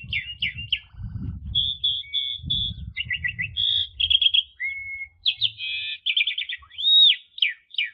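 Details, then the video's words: Asian pied starling in 'ngentrok' style song, played as training therapy for domestic magpie robins: a string of short clear whistles and trilled notes, with a pure level whistle and a high arched note near the end, faint low rumble between phrases. "TERAPI JALAK SUREN SUPER NGENTROK"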